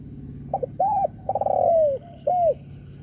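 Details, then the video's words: Spotted dove coo phrase used to stir up other doves: a pair of brief notes, a rounded arched coo, a long sliding coo, and a closing arched coo, over a faint steady hum. "Chim cu gáy gù mở lên kích bổi cực hay | Tiếng chim cu gáy mp4 kich bổi"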